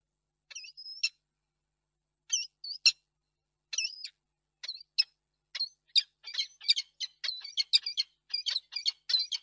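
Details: Peregrine falcon pair in a nest box at Reda on 28 February 2022, before evening, during a long, tender meeting. Harsh, scratchy chupping notes and short whining whistles come in scattered bursts, then quicken into a rapid repeated series.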